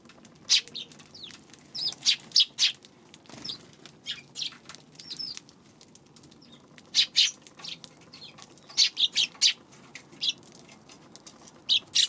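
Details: Eurasian tree sparrows on 2 March, heard over twelve seconds: loose clusters of short, sharp chirps and slurred notes, some quieter and more distant, with gaps of near silence and light background hiss.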